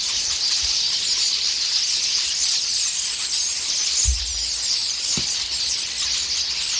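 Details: A pear tree is raided several times a day by a squabbling starling flock. Ceaseless high chatter and squeals, with occasional low knocks or thumps around the fourth and fifth seconds.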